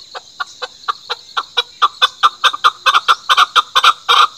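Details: Chukar giving a run of harsh, clucking chuck notes that quicken and grow louder, about two or three per second, with a steady background hiss and human laughter nearby.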